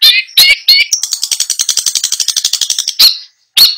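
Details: Long-tailed shrike in competition-style song with rich filling material, giving harsh squawky notes followed by a fast, even train of about twenty clicking, chattering pulses, then further scratchy calls.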